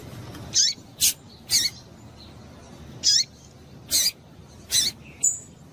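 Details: Rapid series of seven high, descending chips from a female double-collared seedeater, meant to make males sing, ending with a thin short whistle.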